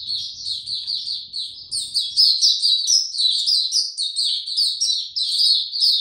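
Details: Mata Puteh, a caged white-eye, beginning song on 29 April 2022 without health supplements: loud, unbroken stream of bright, high twittering and short trilled notes, with a faint low murmur early on.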